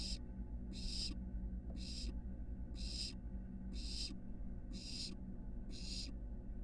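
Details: Barn owl nestlings at a nest box on a University of Florida building, one climbing from porch to roof near fledging; harsh hissing screeches repeated about once a second, seven bursts, over steady low hum.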